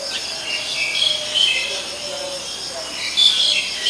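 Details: Black-collared starling, Ubon Ratchathani, Thailand, recorded 10 February 2023, giving harsh, noisy rasping notes mixed with short, high, thin whistles that come in two bursts, over constant high insect buzzing.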